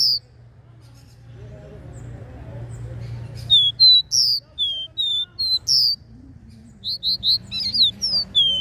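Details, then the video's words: Regional 'Dó Ré Mi' three-note song of a capped seedeater. After a quiet hum-filled start, sharp whistled notes arrive in two bursts, each a run of short level and downslurred tones. "CANTO DO CABOCLINHO DÓ RÉ MI 3 NOTAS REGIONAL"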